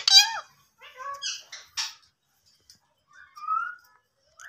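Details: A talking Indian ringneck parakeet begins with a loud, harmonic mimicked word, then gives short clipped syllables and a breathy burst, and ends on a soft rising whistle.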